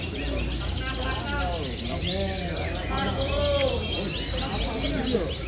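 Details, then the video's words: Canaries singing in a contest class at the Sugiwaras field in Palembang: a dense mix of rapid high chirps, swept notes and trills from several birds at once, with crowd voices murmuring underneath throughout. "KELAS KENARI LAPANGAN SUGIWARAS PALEMBANG"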